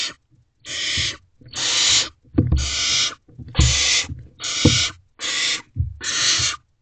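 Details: Barn owl nest box at 3:27 am, 12 May 2023, the male arriving with food and the owlets crowding forward: eight harsh, hissing bursts about one per second, mixed with low thumps and wing or body scuffles.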